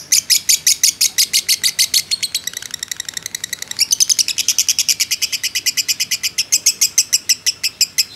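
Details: Fighter lovebird 'ngekek' trill used to bait other lovebirds: loud, rapid, high chattering pulses, briefly fainter and faster near the middle, then strong again, continuing unbroken.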